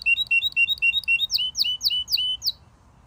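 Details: A canary sings a quick series of bright chirpy notes, about four per second, first level, then sharply down-slurred from a high start. The notes end abruptly after two and a half seconds.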